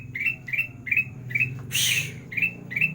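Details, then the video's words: Training song of a kutilang emas in sandang garigit style: quick buzzy upslurred chirps, around two per second, broken by a loud hissing burst midway, over a droning low hum. "Masteran kutilang emas gacor (sandang garigit) cocok untuk burung malas bunyi"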